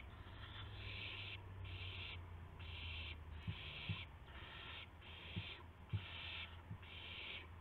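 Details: Owls at dawn, March 26, 2016, around delivered prey, a gopher and a mouse; rhythmic series of rough hissing bursts, about one per second, with low hum and occasional soft thumps.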